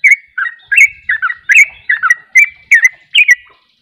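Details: Sooty-headed bulbuls in 'ropel' singing, one prompting another to join. A steady run of rich, bubbly two-note slurs, about three per second, with faint low bumps in the background.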